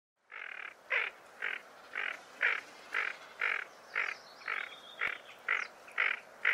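Tufted duck gives a steady series of harsh, rasping notes, about two per second, with a faint high whistle from another bird partway through.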